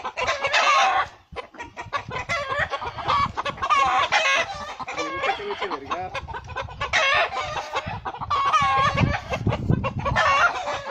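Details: Hen fighting off a hawk to protect her chicks: bursts of loud, raspy, harmonic squawks and cackles that come in agitated clusters, with short gaps and some low thumping and scuffling between them.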